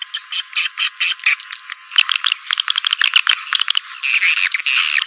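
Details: Lure sound of the 'walet naga' type, meant to draw swiftlets: clipped high chirps and buzzy rattles in uneven bursts, ending in longer warbling trills.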